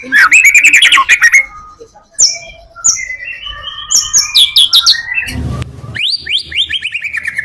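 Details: A white-rumped shama delivers varied full-material song, used to lure others of its kind, with bright trilled bursts, a short pause, then fluttering whistles and downslurred notes. A brief low thump sounds near the end.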